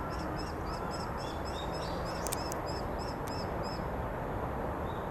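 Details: Young common kestrel just fledged from the nest: a quick run of about a dozen high, thin, arched notes over two and a half seconds, then a pause and one lower note, over a steady low rumble of background noise.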